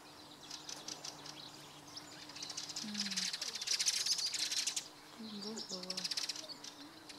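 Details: Male white wagtail in breeding display in Zurich, giving a fast, dry, buzzy twittering chatter of high ticks, about four a second, over a low steady hum, until he gives up.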